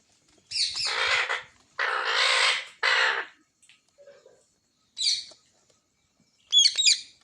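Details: Pet green parrot uttering three long, hoarse, broad screeches in quick succession, then a pause with a faint low note, a short shrill squawk and a final sharp, warbling screech.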